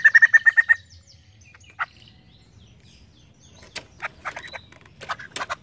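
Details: Brief rapid burst of about seven loud pulsed notes from a White-crested laughingthrush, then scattered clicks and knocks against a quiet background.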